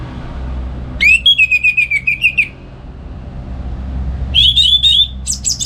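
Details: Orange-headed thrush singing ngeplong gacor in the morning, kept at home as a tutor bird: a whistled, warbling phrase wavering across a second and a half, then a second bright, fluty phrase after a pause, over low background hum.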